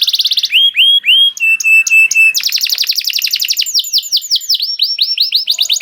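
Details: Canary song played as bait to make canaries sing: fast trill, curved whistled notes, a series of steady pure tones, then a long dense rolling trill of rapid repeated elements.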